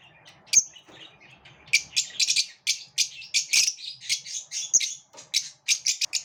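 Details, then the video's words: Competing lovebirds trade a dense, rapid run of shrill chirps and harsh squawks, nearly continuous for several seconds with brief pauses, all high-pitched and scratchy. "Love birds also have competitive moments"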